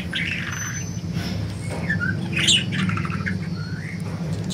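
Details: Budgerigars flying loose give a rising, slurred chirp and a few squeaky warbled notes over a constant low droning hum.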